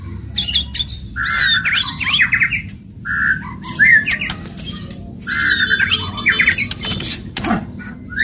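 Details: Aggressive white-rumped shama song with kretekan and tembakan, used to rouse other shamas. Varied whistled phrases come in bursts between crackling clicks and brief pauses, over low background noise.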